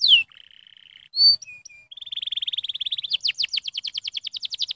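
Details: Varied canary stimulating song: a falling whistle, a soft fine buzzy trill, a few short notes, a steady rolling trill, then quick repeated downslurred chirps.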